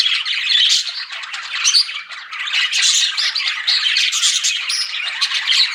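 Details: Pet budgerigars flirting with constant scratchy chatter, mixing buzzy warbles, rasping squawks and a few sharper whistled chirps, with a brief dip in the middle.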